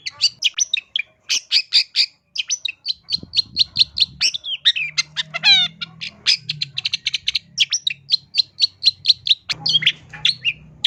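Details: Long-tailed shrike in full song stuffed with borrowed phrases, played as a vocal teacher for cage birds; long steady series of crisp, evenly repeated high chips, broken by a quick descending trill, with soft low hum behind.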